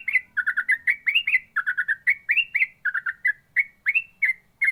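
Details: Yellow-vented bulbul delivering a continuous ropel song: fast runs of gurgling double and triple notes mixed with upward-sliding whistles, almost no gaps, faint low rumble underneath.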